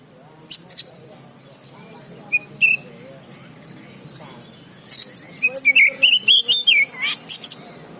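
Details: Oriental magpie-robin being trained at a market, singing in scattered bursts: sharp high chips and short whistled phrases near the start, then a quick run of varied whistles and buzzy notes toward the end, over a low murmur of background noise.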